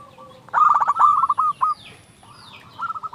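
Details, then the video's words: Local zebra dove in full, loud song, used to lure other doves into singing: a burst of quick stuttering cooing notes run together into a rolling trill, a pause, then another short trilled phrase starting. "Perkutut lokal gacor SUARA BESAR pancingan burung perkutut agar bunyi"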